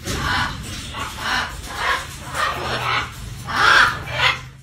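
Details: Pair of blue-throated macaws foraging, making a series of harsh, raspy squawks repeated roughly every half second, building slightly louder toward the end over a steady low background hum.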